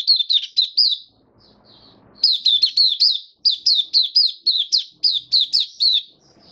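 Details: Pet white-eye in open song, recorded 18 May 2022 after completing deworm treatment: rapid bursts of sharp, high, descending chirped notes, a short quiet gap with soft notes, then a longer fast chattering run.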